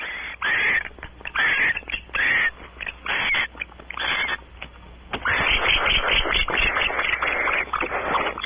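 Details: Rough, breathy screeching from wild barn owls mating on a porch at Audubon Starr Ranch, California, starting as choppy repeated bursts and then running into a continuous raspy chatter for the last few seconds.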